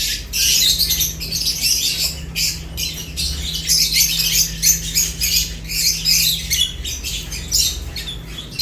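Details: Lovebirds chirping while eating: a dense, continuous chatter of shrill, high squeaky chirps in rapid overlapping bursts throughout, over a steady low electrical hum.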